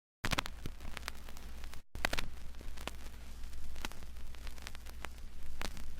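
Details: Sharp crackling clicks and static over a steady low hum, with two brief dropouts near the start.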